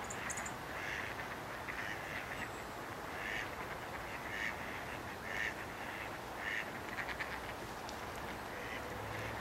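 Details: Canvasback at Sechelt Marsh, Sechelt, British Columbia, in March 2011, giving short, harsh, mid-pitched calls about once a second over a steady rushing background of wind or water.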